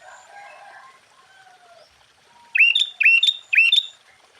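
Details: Vigorous sooty-headed bulbul song, meant to stir other bulbuls: after soft background chirping, three loud rising, hooked whistled notes follow each other about half a second apart.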